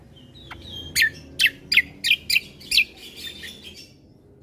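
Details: Bulbul song in a combo recording meant to provoke other birds: sharp, bright chirps in quick bursts, about six loud notes spaced irregularly after a thin whistle, over a faint low hum.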